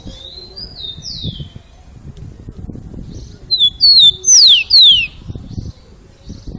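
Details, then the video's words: Rufous-collared sparrow, song style called "Jesus meu Deus": faint whistles at first, then a loud, clean phrase of two short notes and two long descending whistled slides, with low murmuring noise underneath. "TICO TICO CANTO JESUS MEU DEUS"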